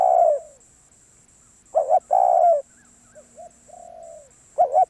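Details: Spotted dove cooing. A long coo trails off, then a two-note lead-in and another sustained mellow coo follow, with a quieter, softer coo between phrases and the start of a new phrase at the end.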